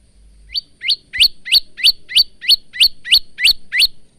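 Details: Male bar-winged prinia giving a training song for cage birds: a steady run of about eleven sharp upward-sweeping chirps, roughly three per second, loud and clean.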